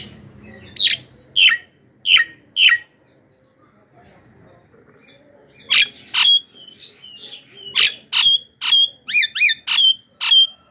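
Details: Javan myna screeching to lure wild mynas: four harsh calls, a pause of about three seconds, then a faster run of sharp squawks ending in short whistled inflections.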